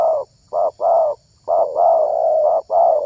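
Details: Spotted dove, a bird prized for its exceptional voice in the hobby of luring wild doves, giving low hollow coos in short-then-long pairs, rhythmic and repeated, with a faint steady high-pitched hum behind.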